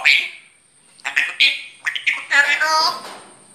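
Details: A talking grey parrot produces a quick run of clipped, voice-like syllables with bright harmonics. The run ends in a longer, rasping, squawky phrase lasting about a second.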